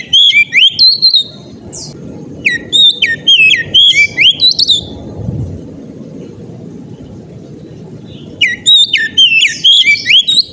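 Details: Oriental magpie-robin in loud, repeated ngeplong song, with quick bursts of ringing whistled notes that swoop up and down, a pause of several seconds, then a fresh run of whistles, over a low background rumble.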